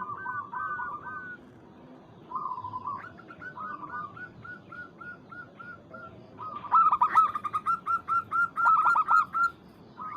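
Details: Local zebra dove used as a lure recording to call and provoke a rival. Soft hooked cooing notes repeat in short runs, then a louder rapid series of bright staccato coos strings together near the end over faint background hiss.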